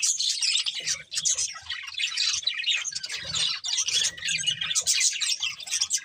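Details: Several budgies chirp nonstop, a busy mix of warbled, buzzy and squeaky notes with faint low thumps beneath.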